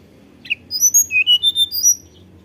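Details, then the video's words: Flute-like tledekan gunung song meant as a lure to prompt other birds to sing: a short high note, then a rapid string of clear whistles stepping up and down at very high pitch. "tledekan gunung gacor nyuling"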